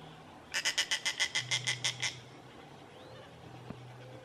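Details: Juvenile snail kite at Lagoa do Queimado, Sítio Boa Vista, Pendências, Rio Grande do Norte, Brazil: a rapid chattering series of about eleven nasal, cackling notes in under two seconds, over a low steady hum.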